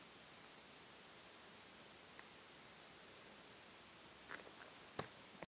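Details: River warbler at Lammassuo, Väärinmaja, Ruovesi, on 29 July 2014, reeling a steady, high, insect-like pulsing song, a rapid dry chuffing rhythm that never breaks; a few faint clicks behind it.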